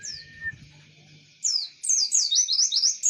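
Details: Imitating the Java sparrow, a white-eye gives one high downslurred whistle, then after a short lull breaks into quick, bright, descending chirps in close succession over a faint steady hum.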